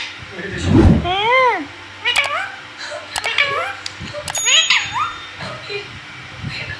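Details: Pet green parrot talking at home, a burst of curved, warbling harmonic phrases and sharp clicks in quick succession, mixed with a low thump near the start and some human speech around it.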